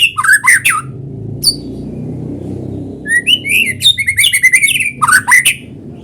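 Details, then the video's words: Actively singing white-rumped shama, recorded naturally as a lure for other shamas: an opening burst of rich whistles, a near-silent gap, then a dense stream of rapid warbled and slurred whistled notes. "PANCINGAN BURUNG MURAI GACOR SUARA ALAMI BIKIN MURAI BATU IKUT BUNYI"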